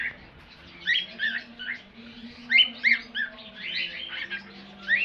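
A cockatiel sings a string of bright, warbling whistles and chirps in short bursts.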